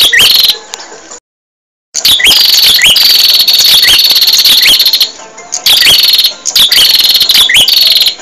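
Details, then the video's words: Energetic bar-winged prinia song used to train caged birds. A dense, almost continuous run of shrill, ticking chirps and upswept notes is broken once by a short silence. "Suara Burung Prenjak | Gacor"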